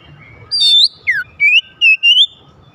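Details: Magpie-robin singing to spur other magpie-robins into song, with a short sequence of clear whistles. A high note falls steeply, then three rising, slurred whistled notes follow in quick succession.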